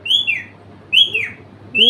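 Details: A parrot repeats "me too" again and again, each phrase a bright whistled level note followed by a falling glide, about three phrases in quick succession, with quiet hum behind.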